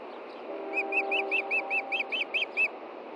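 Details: Osprey at a nest in Montana on an evening in June, an adult searching for a fish after chicks were fed: about ten sharp, whistled chirps in a quick, slightly uneven series, with a steady low hum underneath.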